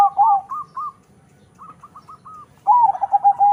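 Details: Crossbred zebra dove of local and Bangkok stock, noted for a big voice: loud warbling low coos, then a pause, a short series of evenly spaced higher notes, and another burst of loud rolling coos.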